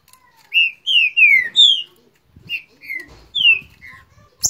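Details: Green-winged saltator in Rio de Janeiro, squabbling in song with a neighbour; a phrase of four loud descending whistles followed by a lighter, more broken series of slurred notes and faint low rustling.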